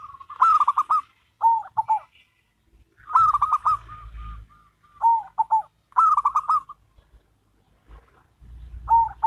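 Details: Zebra doves in a duet, a local bird against a crossbred one. Long, rapid stuttered coo phrases alternate with shorter, lower answering bursts every couple of seconds, over a faint low rumble.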